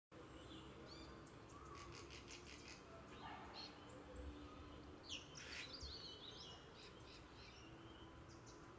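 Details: Pardalotes building nests in winter in Australia give high, short chirping notes in scattered bursts, overlapping other bird calls over a steady low background rumble.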